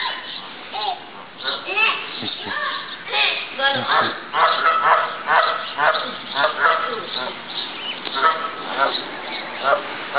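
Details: Flock of many geese at an apartment complex in Columbus, Ohio, calling together: dense, overlapping nasal honks, some rising or falling, pouring out in an irregular chorus for about ten seconds.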